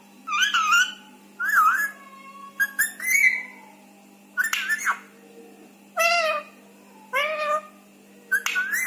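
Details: Rescued Indian ringneck parakeet indoors mimicking speech and whistles: wavering, whistled tonal syllables with rising and falling inflections, repeated in short phrases about once a second, in a quiet room.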